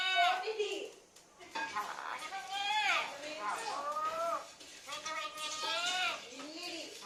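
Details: Indoor talking parrot uttering a string of bent, harmonic, speech-like syllables, some rising and some falling, with an abrupt opening note and a short gap near the first second.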